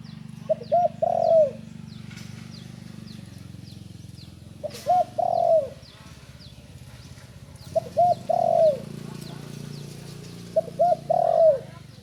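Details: A spotted dove, young and newly learning to call, repeats a soft phrase four times over steady low humming noise. Each phrase has two quick coos and then a longer coo that slides downward.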